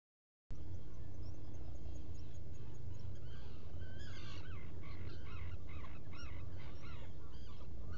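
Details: Black guillemot at a nest burrow on Seal Island NWR, Maine, recorded by burrow camera on a July 2018 morning: after a few quiet seconds, a rapid run of bent, squealing notes rising and falling, with constant low droning noise beneath.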